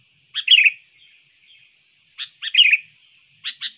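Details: Trained sooty-headed bulbul singing a lure song: a short, chattering, warbled phrase of clipped notes sliding downward, a pause, then the phrase again, ending with two separate sharp chips.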